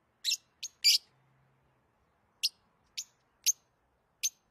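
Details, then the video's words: Lovebird uttering shrill, harsh chirps: a quick cluster of three at the start, then single sharp notes spaced roughly half a second to a second apart, in an otherwise quiet setting. "Love birds sounds | love birds sounds that will make your bird sing"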